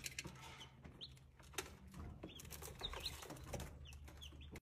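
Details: Several Brahma chicks peeping, with brief thin high notes that dip in pitch and come irregularly over a background hum, a few light knocks, and an abrupt cut-off at the end.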